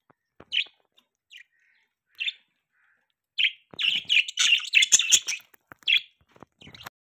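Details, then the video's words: Budgerigars, kept as pets, chirping: short bright chirps spaced about a second apart at first, then a dense burst of overlapping chattering notes in the middle before single chirps return, with faint clicks between. "Budgies Chirping Sounds"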